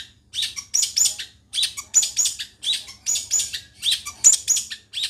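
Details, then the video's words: Long-tailed shrike from Situbondo in rich song: grouped scratchy, chattering high notes in bursts of two or three, repeated steadily with short gaps. "LANGSUNG TERPIKAT Dengan Burung CENDET Seperti ini"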